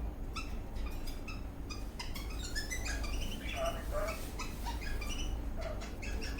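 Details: An eastern rosella parrot dancing in a happy mood gives a steady stream of quick, bright chirps and short piping whistles, rising and falling, over a constant low hum.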